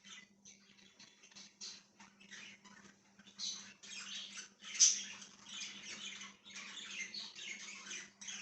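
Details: Budgerigar kept as a pet, recorded 1/6/2023, chattering in soft scratchy bursts that grow busier and louder toward the end, including one bright squeak; a faint constant hum runs underneath.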